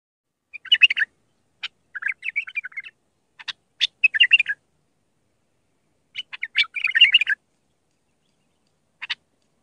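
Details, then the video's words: Raw Mandali-style song of an Iraqi (White-eared) bulbul, used to tutor young bulbuls: short warbled, gurgling phrases in bursts separated by pauses, with scattered sharp clicks between them. "تغريد بلبل عراقي خام مندلاوي راقي ساعة كاملة التعليم افراخ البلابل"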